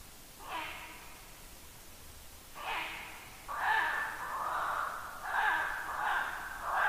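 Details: A Ural owl under a black stork nest tree at 00:26 on 1 August 2022 gives a run of about five harsh, hoarse barks, rasping and breathy, spaced unevenly over several seconds against a quiet night background.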